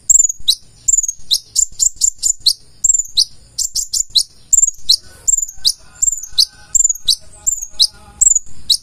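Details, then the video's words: Konin, the purple-throated sunbird, in a full-isian song: sharp, very high chips sweeping downward, repeated about twice a second, some doubled or tripled in quick clusters. "KONIN GACOR FULL ISIAN"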